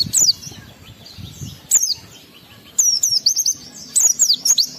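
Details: Oriental white-eye provoking song with brief, piercing high twitters at first, then a busier run of fast zigzag notes in the final two seconds.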